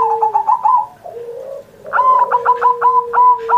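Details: Caged zebra dove singing steadily, recorded on Indonesian Independence Day as a tutor for pet doves not yet singing: low cooing tones broken by quick stuttering bursts of short repeated coos, then a long trilled phrase.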